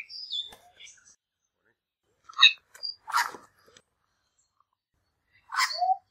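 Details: Two young male lyrebirds squabbling over territory trade short, harsh calls: a few high whistled notes, then loud buzzy, crackling bursts in a quick cluster, and one more sharp burst after a pause.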